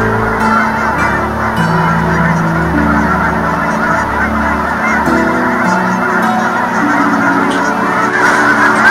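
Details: Canada geese gathered during winter migration in Colorado give a nonstop chorus of low, overlapping honks from many birds, with a few sharper notes and steady background hiss.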